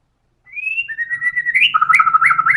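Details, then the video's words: White-rumped shama in vigorous full song: a rising whistle, level sustained notes, then rapid low notes topped with quick upward flourishes, over a faint low rumble. "MURAI BATU GACOR‼️FULL BONGKAR SEMUA MATERI ISIAN"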